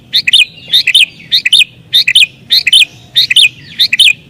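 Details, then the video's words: Sooty-headed bulbul in agitated song for luring wild bulbuls, a quick bubbly two-part phrase repeated steadily about seven times in four seconds, clear and loud. "Burung Kutilang Gacor Isian Cocok Buat Pikat Burung Kutilang Liar"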